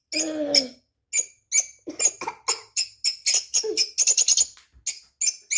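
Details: Parrot calling indoors: a brief low, harmonic vocal sound opens, then a run of sharp, high, clipped chirps in short bursts separated by brief pauses, with a quick rapid-fire trill of chirps near the end.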